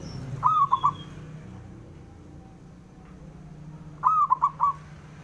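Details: Male zebra dove giving its provoking call to rivals: two crisp, rolling phrases of three to four hollow notes, roughly three and a half seconds apart, with a low hum underneath.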